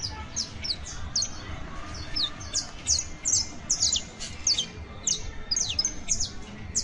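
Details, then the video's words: Saffron finch juvenile, or canario basto, delivers a dense run of high, sharp descending chirps, repeated rapidly throughout, over low background hum. "CANTO: CANARIO BASTO [SICALIS FLAVEOLA JUVENIL]"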